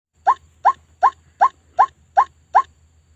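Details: White-breasted waterhen lure call for trapping birds, a recording meant to draw waterhens in: short harsh nasal notes repeated steadily about every 0.4 seconds, seven in a row, against a quiet low hum.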